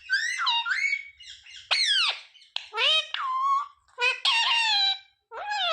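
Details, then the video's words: Parrot of the ringneck kind repeating words such as mummy, papa and mithu in a continuous run of high, harmonic, swooping word-like sounds with few pauses. "Ringneck parrot talking sound mummy, papa, mithu"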